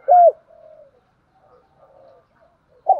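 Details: Spotted dove decoy call used to lure wild doves: one loud, short, low coo opening the clip, soft faint murmurs in the pause, then another coo starting at the very end.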